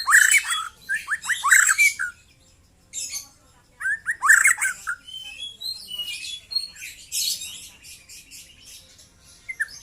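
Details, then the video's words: Song of a young white-rumped shama: loud, rapid bursts of slurred whistles and harsh chattering notes, then thinner high twittering and clicking toward the end, with short silent breaks. "KICAU BURUNG MURAI MUDA LEPAS TROTOL"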